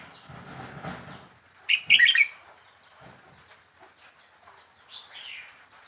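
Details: Red-whiskered bulbul, a young wild bird four weeks in a cage, delivers one bright bubbly phrase after low rustling noise, followed by a quieter whistled phrase.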